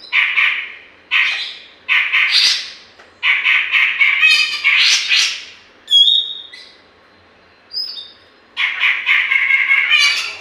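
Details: Grey-cheeked bulbul in vigorous song, kept to provoke other birds; a long series of loud harsh, chattering phrases, broken by brief pure whistled notes near the middle, then more chatter.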